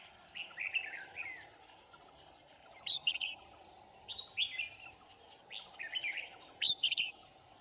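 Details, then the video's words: Decoy red-whiskered bulbul from Cao Phong singing while trapping wild birds in Kim Bôi, Hòa Bình, Vietnam: a run of short, cheerful warbled phrases about every second, rising and falling, over a constant buzzing insect background. "Bẫy chào mào Kim bôi - Hòa bình mồi cao phong ra trận"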